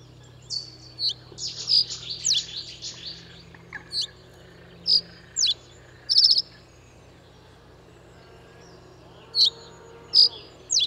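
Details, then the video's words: Reed bunting singing: short high, thin chirps given in a quick stuttering run, then single sharp notes spaced a second or more apart, with a faint low hum throughout. "Vogelstimmen: Die Rohrammer - Reed bunting - Emberiza schoeniclus"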